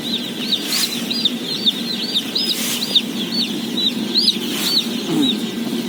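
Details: Day-old chicks at feeding, 17,000 in all: clear arching peeps, each rising then falling, repeated several times a second above the wider chorus, with occasional sharp clicks and a low hum.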